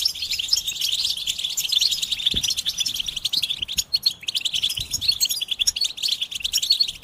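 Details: European goldfinches in group chatter, played to stimulate males into singing and break their silence; dense, bright twittering and buzzy trills run almost without pause for seven seconds, with a brief dip near the middle.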